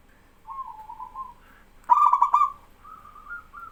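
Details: Local male zebra dove singing while other doves answer. A soft wavering coo, then one loud rapid stuttering burst, followed by a quieter level trill.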